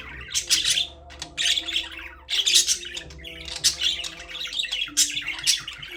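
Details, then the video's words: Caged budgies keep up a busy chatter of harsh squawks and bright, twittering chirps in overlapping bursts, one after another with brief gaps, over a low background drone. "Budgies parrot #chirping sound"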